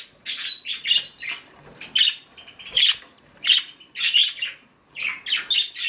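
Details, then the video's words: Mother budgie, also called a parakeet, on duty at her nest, uttering short squeaky chirps in clusters about every half second to second, with soft rustling and brief wing flutters between notes. "Momma Budgie On Duty"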